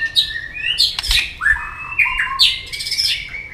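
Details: Double-toned fighting song of a white-rumped shama meant to provoke a rival: long clear whistles sliding up and down, broken by sharp clicks, in steady rich phrases.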